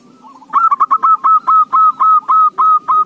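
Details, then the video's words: Lure recording of a zebra dove singing, intended to make other doves answer: a soft lead-in followed by around a dozen loud, clear cooing notes, quickening at first and then evenly spaced, clean background. "PANCINGAN SEMUA JENIS KUTUT || malas bunyipun nyahutt"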